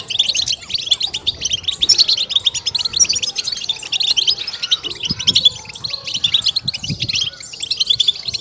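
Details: Batbata goldfinch song for stimulation and excitement: fast, high, jingling chirps and buzzy trills stream on without a break, thickly overlapping, with soft low taps scattered underneath.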